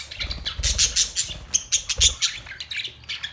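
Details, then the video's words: Chirping Australian parrots: quick bright chirps and squawks in a rapid stuttering series, several birds overlapping, faint low thumps below. "Australian parrot Beautiful birds chirping sounds"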